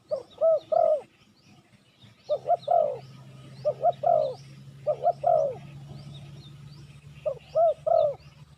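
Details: Spotted dove luring wild doves with repeated mellow phrases, two quick coos and a longer croo, in four bursts over several seconds. A steady low hum runs underneath, and faint bird chirps are heard.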